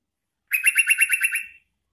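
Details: A single quick series of about nine crisp, bright chirps from a sooty-headed bulbul, used to call wild bulbuls, fading slightly at the end in otherwise quiet surroundings.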